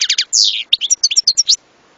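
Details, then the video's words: European goldfinch phrase opening with rapid clicks, then a drawn-out buzzy descending note followed by a string of clear, high tinkling chirps. "صوت حسون لن تنساه طوال عمرك"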